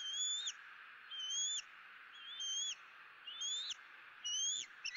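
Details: At a Southwest Florida nest on the morning of 2 April 2017, eaglet E9 calls for food while both parents sit in a dead tree; five clear, high whistled chirps, each slurring upward, roughly once a second, constant background hiss.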